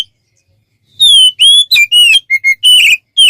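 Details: Oriental magpie-robin song for training songbirds: after a second of silence, clear pure whistles, some gently rising, others falling, delivered in short evenly spaced phrases.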